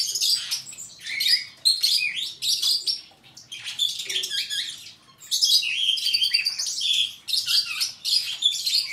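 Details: Superb starling giving loud, fast chattering song with buzzy trills and high whistles, broken by two brief pauses.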